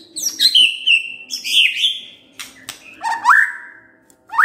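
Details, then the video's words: White-rumped shama song serving as a lure: high drawn-out whistles and buzzy notes, a pause, then rising whistled upslurs. "Pancingan Murai Batu Bongkar Isian"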